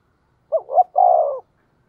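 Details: Spotted dove with the 'giọng thổ' voice, calling to draw in wild birds. A single clear coo: two quick notes climbing in pitch, then a sustained, gently falling note. Nothing else is heard.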